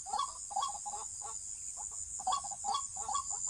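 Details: Waterhen, recorded while being trapped, sounding short bursts of throaty clucking notes with brief pauses between groups, over a constant shrill insect hum.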